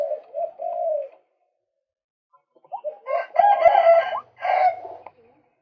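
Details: Male white-breasted waterhen calling for use as a bird lure: a steady mid-pitched harmonic note, a pause, then short rising notes building into a harsh, croaking, multi-layered burst and a final grating phrase.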